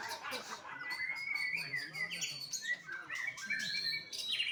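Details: Juvenile white-rumped shama kept at a Bali bird farm in Indonesia gives clear rising and falling whistles mixed with short chattering notes and sharp chips, with faint voices and low hum behind.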